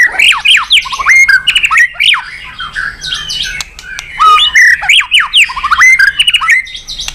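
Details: White-rumped shama in full, rich song, recorded to encourage other birds to sing: fast, loud sequences of steeply rising and falling whistles, trills and crisp clicks, barely pausing across the phrase.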